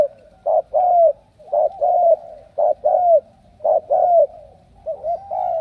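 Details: Spotted dove kept as a strong cooer gives about five paired coo phrases, a clipped note then a longer falling one, spaced evenly around a second apart, over faint low hum.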